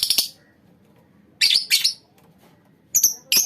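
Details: Several lovebirds in a colony give paired shrill, rasping chirps separated by short silences, ending in a thin whistled squeak.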